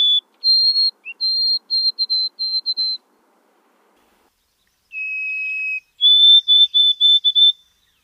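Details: White-throated sparrow song: pure whistled notes, a long opening tone followed by a series of short level whistles, then after a pause a lower sustained whistle and a higher run of evenly repeated notes, clean background.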